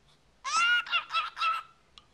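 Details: A male pet cockatiel, 14 years old and always chattering, gives a loud harsh buzzy squawk broken into four pulses over about a second, indoors with people talking nearby.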